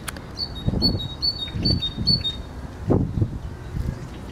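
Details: Great tit song: a clear series of paired notes, a high note dropping to a lower one, repeated five or six times in quick rhythm, with dull low thumps and knocks underneath.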